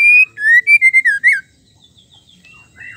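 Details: Loud whistled phrase from a female white-rumped shama, meant to provoke males into singing. A string of clear notes dips and rises quickly, ending in a sharp upward slur. A pause follows, then faint soft twittering.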